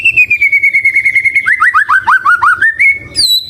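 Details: A white-rumped shama, known locally as murai batu, sings a long, slowly falling pure whistle, then a quick run of repeated upslurred notes stepping downward, ending with a higher whistled phrase.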